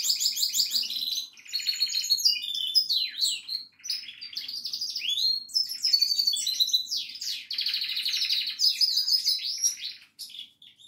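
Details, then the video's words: Goldfinch in sustained song, a continuous, rapid jumble of liquid twitters, buzzy trills and sharp up-and-down slurred notes running for about eleven seconds with hardly a break. "Best goldfinch singing."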